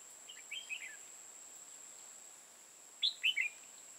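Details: Red-whiskered bulbul being trapped in Hòa Bình, Vietnam: a soft, distant warbled phrase, then after two seconds a louder one of three sharp chirpy notes. A faint continuous high whine sits underneath.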